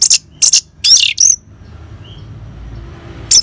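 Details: Ngeban-style song of an orange-headed thrush, used to coax caged birds into song: a few sharp high bursts and slurred whistles, then a pause with a faint thin note, and one last burst at the end.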